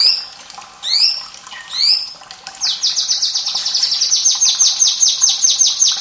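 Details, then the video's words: A White-rumped shama sings loud, high whistled phrases, then a fast run of rapid, repeated descending notes about eight per second; faint trickling water beneath. "MURAI BATU SUARA PEDAS Plus gemericik air perangsang bunyi UNTUK TROTOL,BURUNG BAHAN & MALAS BUNYI"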